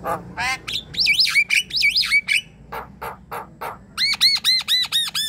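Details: Lively Javan myna chatter meant to stir a quiet bird into song: rasping notes, twisting whistled phrases, several dry clicks, then a fast series of bright, arched whistles repeated about five times a second.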